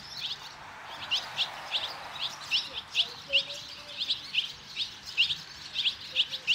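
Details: Barn swallow chicks at fledging, five young leaving the nest together, urged on by fledglings from other nests; loud bright chirps repeated roughly every half second, with faint lower bird notes behind.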